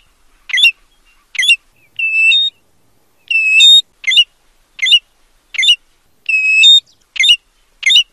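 American golden plover giving clear, high whistled notes, short sharp slurred ones mixed with a few longer level whistles, about ten in eight seconds, over a quiet background.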